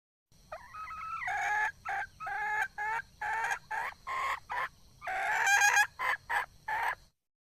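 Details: Wild red junglefowl hen calling: a drawn-out wavering opening note, then a quick, irregular run of short harsh clucks, roughly three or four per second, with brief pauses between them.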